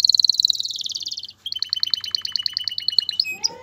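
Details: Male canary singing to prepare a female for mating and encourage her to build a nest: a fast high trill that slides downward, a brief pause, then a run of rapid bright repeated notes ending in a short buzzy phrase.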